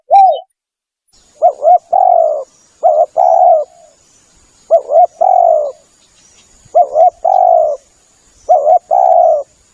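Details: Spotted dove call used as a lure: repeated phrases of a quick double note followed by a longer rolling coo, four phrases about every two seconds, with a faint steady high hiss behind.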